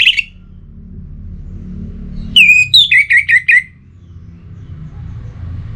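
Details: An orange-headed thrush from North Bali, Singaraja, in breeding condition, sings to call a rival. One short whistle is followed by a pause, then a rapid series of about six loud, buzzy falling whistles, then quiet.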